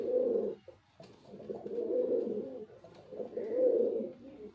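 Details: Male white pigeon cooing indoors: low, throaty rolling coos in three swelling bouts separated by short pauses, with a faint background hum.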